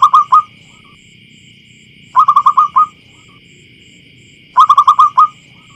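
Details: Wild local zebra dove, used as a lure sound to attract wild birds in a field: bursts of four to five quick, clear, loud notes repeated about every two seconds, over a steady electronic hum and low background rumble.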